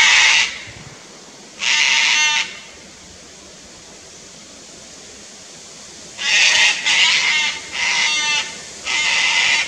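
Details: A pair of wild Sulphur-crested Cockatoos on the Fraser Coast, Queensland, Australia, upset at a Lace Monitor in a tree near their nest: harsh, broadband raucous screeches, two early bursts then a cluster of four grating shrieks after a pause.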